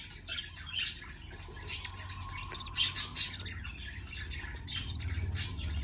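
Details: Young budgerigars begging while a parent feeds them: raspy, broadband squawks in uneven bursts, some doubled, over a faint constant hum and a thin steady tone.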